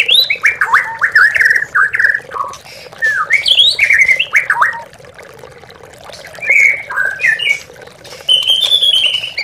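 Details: Lure recording of white-rumped shama song meant to rouse silent captive birds, with trickling water added: rich runs of swooping whistles and chattering notes, a softer lull near the middle, then bright phrases resuming.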